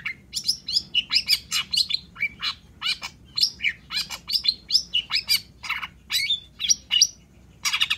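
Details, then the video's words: Long-tailed shrike singing nonstop as a lure: a long, rapid stream of sharp, varied chirps and twittered phrases, many rising or falling, repeated in quick succession for several seconds. "SUARA CENDET GACOR"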